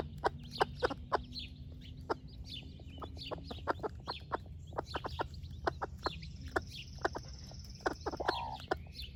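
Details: Mother hen, a broody splash laced red Wyandotte, sharing breakfast with her chicks: continuous quick low clucks throughout, some in rapid pairs, with high chick peeps and outdoor bird chatter behind.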